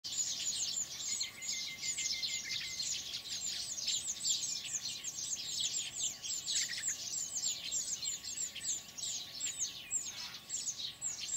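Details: Baya weavers (Ploceus philippinus) at their nests in Kinta Nature Park, Perak, Malaysia, late morning in March, keep up a dense chorus of high, scratchy chirps and wheezy twitters, many birds calling over one another.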